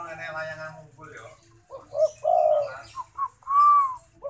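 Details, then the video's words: An actively cooing zebra dove gives several low, mellow rolling coos and a longer rising-falling note, after a person speaks briefly at the start. "Burung derkuku gacor"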